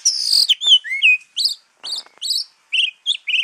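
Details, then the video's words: Javan oriental magpie-robin singing a varied series of loud, clear whistled notes, some sliding downward and some rising, delivered in short separated phrases with brief pauses between them. "Kacer Jawa"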